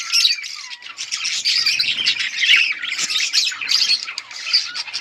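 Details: Several budgies chirping: rapid high chatter, sharp squeaks and a few clear whistled notes, including a falling whistle early on, over steady flock babble.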